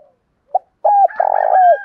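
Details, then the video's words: Spotted dove coo for exciting new decoy birds, male and female calls: a short note, then a flat hoot and a long burry, down-gliding phrase, with a higher overtone above it. "tiếng chim cu gáy kích bổi, giọng thúc và gáy gọi rất chuẩn để tập bổi mới"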